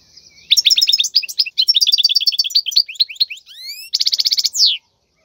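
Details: Wild goldfinch singing, a song for tutoring young birds: rapid liquid twitters in quick runs, a few rising slurred whistles, then a buzzy rattling trill ending in a downward sweep.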